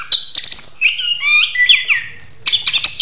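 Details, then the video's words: Orange-headed thrush (anis kembang) singing loudly and vigorously during a mating ritual: a varied run of high whistled notes, slurred trills and sharp rising and falling phrases, with dry clicking notes between them. "Ritual Kawin Anis Kembang - Volume Kencang Gacor"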